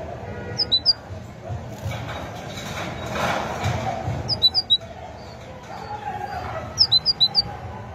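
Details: Three separate short bursts of high, sharp great tit phrases, each of three or four notes, spaced a few seconds apart over a steady low background rumble.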